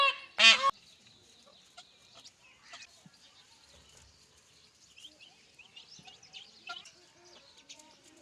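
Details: A peahen, apparently alone and searching for a peacock, gives one loud, harsh, honking call near the start, followed by quiet background with faint chirps of small birds.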